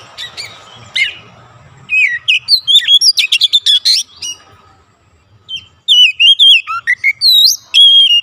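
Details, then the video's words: Oriental magpie-robin (kacer) singing in full voice after being prompted: faint scratchy notes, then a fast run of loud sharp whistled chips, a pause, and clear rising and falling whistles with quick upslurs. A low hum runs underneath. "sekali pancing Kacer langsung on buka paruh gacor"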